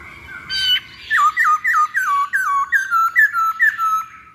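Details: Masked laughingthrush lure song to draw birds into singing: one loud squawk, then a steady string of about ten falling whistled notes, each a quick downward slur, in a small room.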